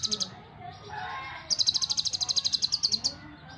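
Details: Brown-breasted purple-throated sunbird in lively, varied song: a short high burst, a pause with soft murmuring, then a long fast trill of evenly repeated high ticking notes lasting about a second and a half.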